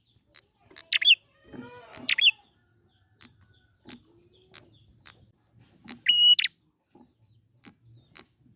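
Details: Wild prinia lure recording: scattered high, piercing notes and short buzzy bursts, including one flat, whistled note, with soft ticks and a lower chattering call in between.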